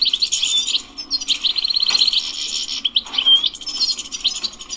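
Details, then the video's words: Wild European goldfinch singing in the bitbita style: fast, bright twittering phrases with a short buzzy trill and a clear whistled note, with slight background hiss. "#بتبتات_الحسون #بتبتة #تغريد_الحسون #حسون_خلوي #حسون_بري"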